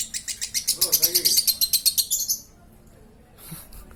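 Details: Lovebird 'ngekek' in the 'konslet' style: a quick run of high chattering notes lasting over two seconds, then stopping abruptly, followed by quiet and a faint low sound.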